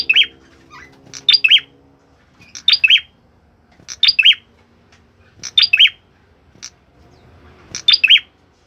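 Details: Orange-headed thrush singing actively, repeating a brisk three- to four-note phrase of sharp high whistles five times at intervals of about one and a half seconds, with a few isolated chips.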